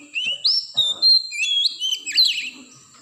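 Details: Oriental magpie-robin from the wild forest, played as a lure to spur caged birds into song: a quick medley of pure whistles, slurs and rough chattering notes with a few soft clicks.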